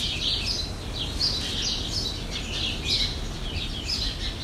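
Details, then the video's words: Jandaya parakeet from Brazil: grating, squawking notes tumble out continuously, several per second and slightly uneven, against constant low-pitched environmental noise. "JANDAIA VERDADEIRA"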